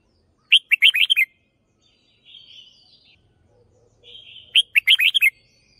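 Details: Red-whiskered bulbul decoy bird singing its doubled phrase: a rapid bubbling burst of five or six whistled notes, a soft rising whistle, then the same burst repeated about four seconds later. Quiet background.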